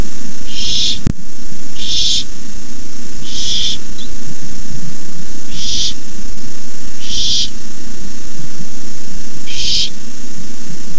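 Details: Nighttime barn owl nest where owlets hiss while an adult brings a rabbit; six rasping hiss bursts at uneven intervals over eleven seconds, one sharp click early, low humming background.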